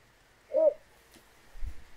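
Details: Little Bittern, a rare small heron, seen in a broad reed bed in the Netherlands in the evening, climbing reed stems; it gives a single short, deep, barking croak, low and hollow, followed by a faint low rumble.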